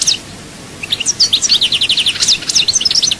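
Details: Rapid, even-paced twittering of a goldfinch from Souk Ahras, about three high metallic notes per second, running almost without pause.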